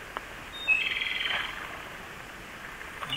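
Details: Brief song recorded in the mountains at a Siberian blue robin site, though the singing is noted to be a Japanese robin: a sharp high note, then about a second of rapid twittering, with faint clicks near the start and end.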